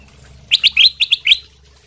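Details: Sooty-headed bulbul of the golden silk variety in lively song, used as a lure to make other birds answer; a quick burst of six short, bright chirping notes over about one second, the last slightly longer.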